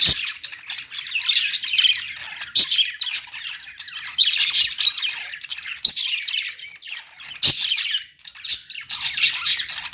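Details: Budgerigars chirping in a pet store: bursts of scratchy, squeaky chatter every couple of seconds, each opening with a sharp click-like note, over a constant background of softer warbling.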